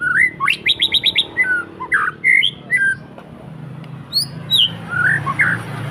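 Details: Captive white-rumped shama kept at home in Indonesia, singing actively: a burst of rapid repeated high sharp notes, then varied clear whistles and slurred phrases with pauses between, over a faint low background hum.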